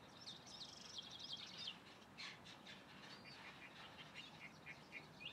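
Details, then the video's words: Calandria (mockingbird) singing: a rapid jumble of high, varied twittering notes in the first second and a half, then scattered short chirps and trills, all fairly faint over a soft background hiss. "Calandria cantando"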